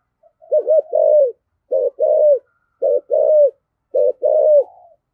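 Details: Spotted dove kept as a lure bird, singing in the 'thổ sấm' style: four repeated phrases roughly a second apart, each a quick double note and then a longer, full, slightly falling coo, clean and steady.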